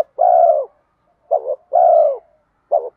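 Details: Spotted dove lure call in the 'thúc gù kèm mắt me' style, bronze-toned voice meant to pull wild doves back; two long, even, mellow coos each answered by a clipped double coo, clean and close.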